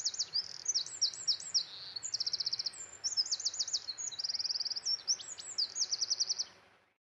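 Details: Eurasian wren, from a Córdoba bird sound guide, pours out a loud, very high, fast song of sharp notes and rattling trills lasting over six seconds, with faint background hiss.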